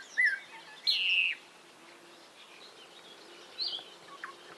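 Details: Short bird phrases: a quick chirp, then a strong warbled, downward-slurring whistle, a quiet stretch, and a few softer distant notes.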